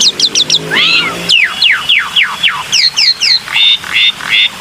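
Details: Black-winged myna lure sound with rapid stuttered notes, a pair of arched whistles, then a steady series of descending whistled strokes and short buzzy bursts near the end.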